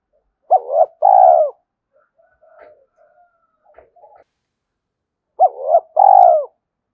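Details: Spotted dove giving two matching phrases about five seconds apart, each a clipped rising note followed by a rich purring coo, with soft scattered murmurs between; recorded to get a decoy dove cooing fast.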